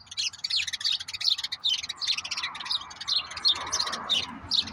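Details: Two common grackles, brothers, taking walnuts from a backyard feeding spot caught on a bird cam; bright, rapid chirps and squeaky notes repeat about three times per second in an uneven, busy stream over faint low rumble.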